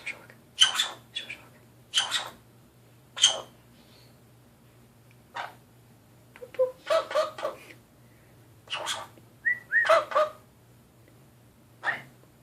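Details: A pet Nanday conure making noises at a mirror gives harsh, raspy screeches in short bursts every second or so, with a few soft whistled notes between, over a low steady hum.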